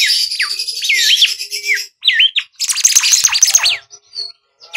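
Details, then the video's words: Bimoli song played to lure and train birds: dense, varied whistled phrases with swooping up-and-down slurs and rapid high twittering, broken by short pauses. "SIULAN BIMOLI UNTUK PANCINGAN BURUNG"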